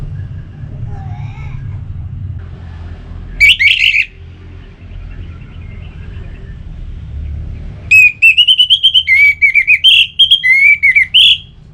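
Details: Orange-headed thrush song, played so kept birds will sing: a brief whistled note, a quiet stretch with low rumble, then a long varied sequence of rapid whistled notes rising and falling for nearly four seconds.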